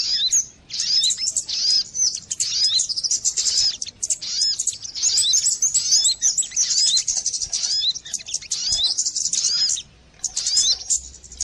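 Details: Calls of the sogon bird for attracting birds to a trap: sustained high-pitched, busy twittering with looping whistled notes, pausing briefly twice.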